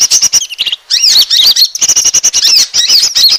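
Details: Asian glossy starling lure sound used to attract birds, made of fast shrill clicking chirps and squeaks crowded together, with a few looping whistled slurs in the middle and end.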